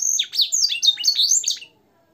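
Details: Caged canary song in blackthroat and sanger style for training other birds: high, swooping, slurred phrases for under two seconds, then silence.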